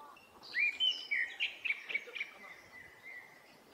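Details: Recorded on a Nikon Coolpix P950 in a Hokkaido forest in early summer, a Japanese thrush gives several clear, slurred whistles in quick sequence, followed by a faint, fading tail of notes.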